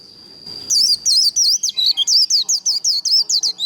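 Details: White-eye in líu contest-song style, used to fire up birds for singing contests: after a steady high whine, a rapid run of about 13 sharp, looping whistled notes bursts in.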